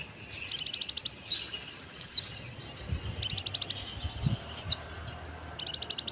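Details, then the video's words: White-eye (pleci) in dakbal song, alternating rapid buzzy trills of about eight pulses with single high falling whistles, each phrase separated by a second or so of faint hiss. "Kicau Pleci Dakbal"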